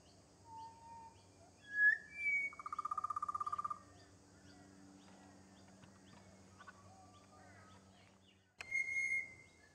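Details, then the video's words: Pied butcherbird family of a pair and a mottled juvenile in a garden; scattered whistled notes, then a buzzy rapid pulsed burst of about a second, and a loud clear whistle after a pause, over a faint background chorus. "Pied Butcherbirds singing"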